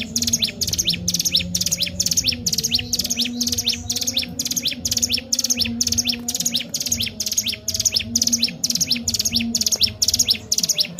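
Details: Ciblek gunung (Sunda warbler) in energetic 'gacor' form, a lure for stimulating pet birds: a long run of high, rapid trill-and-slur phrases repeated about twice per second without pause, steady low hum underneath.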